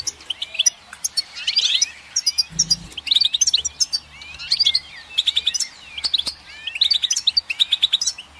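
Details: A goldfinch twitters in rapid tinkling bursts of chirps and wavering whistles, repeated phrase after phrase, with a short low hum early on.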